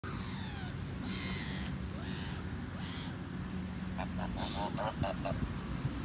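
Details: A gander calls for his mate when she is out of his sight, giving harsh, nasal honks, several spaced calls and then a quick run of clipped notes, over a steady low rumble of wind and background noise.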